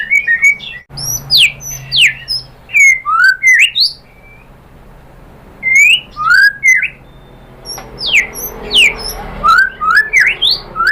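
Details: Shama singing, played to goad rival shamas into answering: bursts of loud, varied whistles, steep upward sweeps and sharp squawky notes, broken by a pause of about two seconds.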